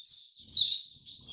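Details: Brief burst of Oriental white-eye song from 25 January 2022: two thin, high, slurred phrases in quick succession, followed by a faint trailing note.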